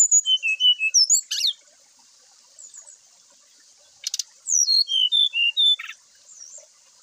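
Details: Morning song of a brown-chested jungle flycatcher, meant to draw other birds of its kind into singing. Two phrases of clear, downward-sliding whistles, four to six notes each, are broken by rasping buzzes. A constant high hiss sits underneath.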